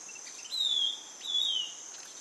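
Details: Ringed antpipit (Estalador do norte) calling: two clear whistled notes, each sliding gently downward and about a third of a second long, spaced well apart, over a steady high insect drone.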